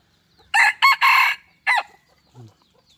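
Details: Decoy rooster giving a full crow: three strong, hoarse bursts close together, the last one drawn out, then a separate rising final note, followed by a soft low grunt in otherwise quiet surroundings.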